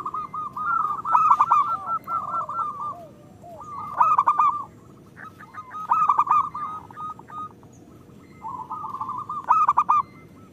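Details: ['Local zebra dove song meant as a lure so lazy doves start singing: clusters of rolling, rippling coos about every two seconds, quieter gaps with faint single notes.']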